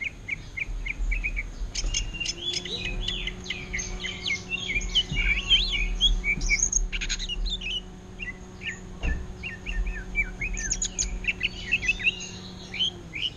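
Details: Greater green leafbird singing ngentrok style, imitating an orange-headed thrush: scattered then dense high chirps and whistled phrases over a steady low hum, with a few sharp clicks.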